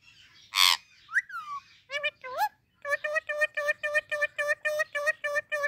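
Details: Ringneck parakeet greeting baby parrots with talk: a sharp loud burst and a few swooping word-like notes, then a steady run of about a dozen even, harmonic syllables repeated roughly four per second.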